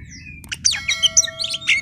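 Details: Oriental magpie-robin song, a singing male used as a master or lure song to prompt silent or young birds, with bright whistled notes, sharp high chirps and buzzy trills in quick varied phrases over a low rumbling background hum.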